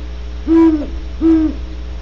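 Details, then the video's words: Great horned owl in California giving two deep, steady hoots about three-quarters of a second apart, each ending with a slight downward slur, over a constant low electrical hum. "27mins of GREAT HORNED OWLS"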